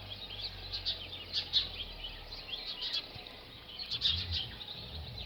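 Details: A male house sparrow chirps steadily, with short, bright notes tumbling over one another, several a second, over a low background rumble.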